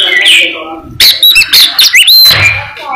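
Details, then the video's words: Albino Oriental magpie-robin singing in full, lively voice: loud, clear whistled notes with sharp rising and falling sweeps and quick clicking chips, delivered in a rapid burst after a brief softer opening phrase. "suara burung kacer albino gacor istimewa"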